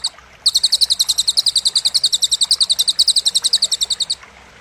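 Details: Cililin song for training competition songbirds: a sharp, loud, high-pitched trill of about thirty evenly spaced clipped notes lasting nearly four seconds, then stopping abruptly.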